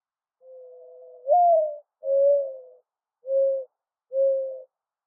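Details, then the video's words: Soft, owl-like cooing of a mourning dove: an opening coo that lifts in pitch, then three shorter level hoots about a second apart, with nothing else audible. "Mourning Dove Call"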